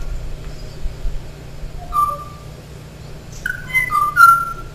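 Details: The last known male Kauai ʻōʻō, a duetting species, sings a few clear, hollow, flute-like sliding, echoing whistles, waiting for a female's response that never comes; a low hum runs underneath.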